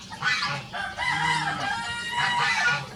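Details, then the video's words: Rosecomb bantam rooster, one of a free-ranging pair of show birds in a crowing duet: a strained, wavering crow of about two seconds, with a thin higher call overlapping near the end. "The Smallest Breed of Rooster Crowing Duet"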